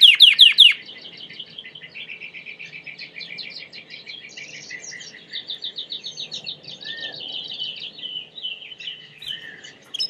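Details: Belgian canary song opening with loud sweeping downward notes, then long even rolled trills and buzzy rattles that shift pitch from phrase to phrase over ten seconds, against a quiet low background hum.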